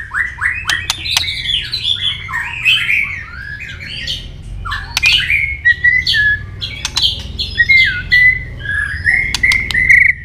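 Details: Long, varied fighting song of a White-rumped shama sung to provoke a rival: fast tumbling whistles and chattering phrases, many sharp tail-flick clicks scattered throughout, closing on clear ringing notes.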